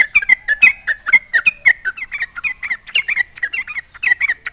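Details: Vigorously singing sooty-headed bulbul taunting rivals to make them answer: quick repeated liquid notes that bounce up and down, delivered in an even, rapid rhythm throughout.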